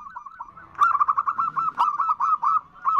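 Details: A female zebra dove calls a male with nutut notes. After a soft start, the bird gives a loud, quick series of short, clipped coos at an even pitch, broken by a single click.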